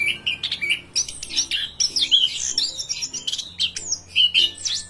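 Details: ['Orange-headed thrush singing energetically: a jumble of high squeaky whistles, slurred chips and scratchy notes at varied pitch, with faint low humming tones underneath.']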